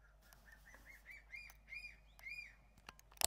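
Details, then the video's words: Crested serpent eagles on Ishigaki Island, Okinawa, call back and forth in a quick series of clear, arched whistled notes, rising then falling; a few sharp clicks follow, and a bird seems about to fly. "【鳴き合い】カンムリワシ Crested serpent eagle"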